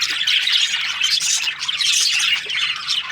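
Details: Breeding-season budgies produce a crowded wash of high chirps, squawks and warbling chatter from many birds together.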